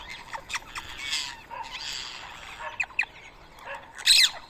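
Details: Rose-ringed parakeets at a morning feeding of soaked boiled rice in Coimbatore, India, 31 March 2024. Scattered sharp squawks and chirps with short gaps between them, ending in a loud, shrill screech.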